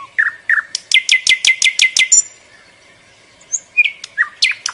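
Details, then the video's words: A small bird gives a rapid run of about eight sharp, high chirps, pauses, then adds a few scattered tweets and a brief whistle. "Sound of Bird"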